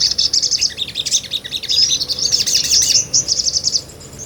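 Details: Sunbird in energetic ngobra song, meant for tutoring other songbirds: continuous rapid, high, buzzy twittering with fast trills and mixed chirps, loud throughout and fading at the close.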